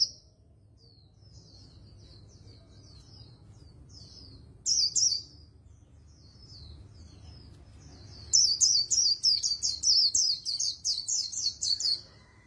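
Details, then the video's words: Oriental white-eye performing very fast líu đấu song: soft, thin, high twitters at first, a loud brief burst, then a long, dense, energetic string of sharp high swooping notes repeated several times a second. "Luyện Giọng Vành Khuyên Líu Đấu Siêu Nhanh | Khuyên Líu Kích Bổi | Khuyên Líu Giọng Chòe Chuẩn"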